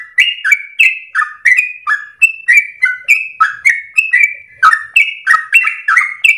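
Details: Long ropel song from a yellow-vented bulbul, played as a training lure for songbirds at morning, midday and afternoon: a steady chain of liquid, slurred chirps, alternating higher and lower notes nearly three times a second.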